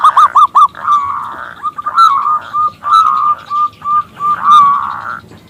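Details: Local zebra dove with a big, crystal-clear voice, calling to get a male singing: three quick clipped notes, then longer drawn, slightly wavering cooing notes repeated with short gaps.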